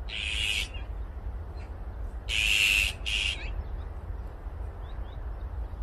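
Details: Noisy flock of azure-winged magpies: three loud, grating, rasping squawks, the middle one longest, followed by faint high chirps, with a steady low rumble underneath.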